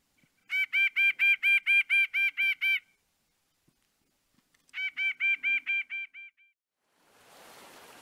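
White-breasted Nuthatch giving two quick runs of nasal, even-pitched notes, about nine then seven, roughly four per second, followed by a soft hiss.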